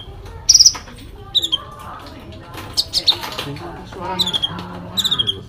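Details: Sooty-headed bulbul in full fighting song with fill-in phrases, loud rapid rattling trills alternating with high thin notes and sliding whistles, spaced by short pauses, with faint voices and rumble in the background.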